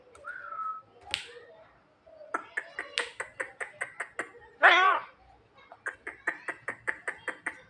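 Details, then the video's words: Javan myna copying a human cough: a steady whistle, then two long runs of rapid sharp clicks broken by one loud, rough harmonic burst in the middle. "suara jalak kebo menirukan suara orang batuk"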